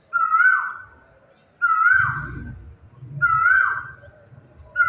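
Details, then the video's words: A quail sings in the quiet of morning, giving a bright, ringing note that slurs downward, repeated about every one and a half seconds against a faint low background hum. "quail ka ye song"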